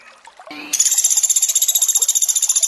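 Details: Sunda pygmy woodpecker, recorded for training with water sounds: a soft short note, then a piercing, fast, rattling trill of evenly spaced pulses continuing to the end.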